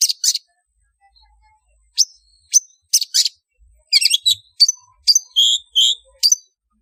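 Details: Lure recording of a long-tailed shrike meant to attract others: short paired chips, then a busy run of high, harsh notes and mimicking whistles, some buzzy, in quick succession.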